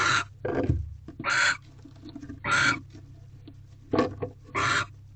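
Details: Barn owls mating in an owl box at night, female holding a rodent; rough hissing screeches mixed with lower grunting and scuffling noises, uneven spacing, over a steady low hum.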